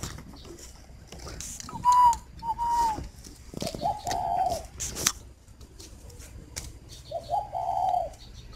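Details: Captive spotted dove at a dove garden in Ba Vì district, Hanoi, Vietnam, repeating soft low coos, a pair of short rounded notes followed by longer droning ones, over a faint background hum and occasional clicks.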